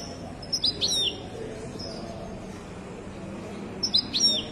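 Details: Moroccan European goldfinch singing in the widani style: two short bursts of high, tinkling twittered notes with quick descending slurs, separated by a pause of about three seconds, over a steady low background hum.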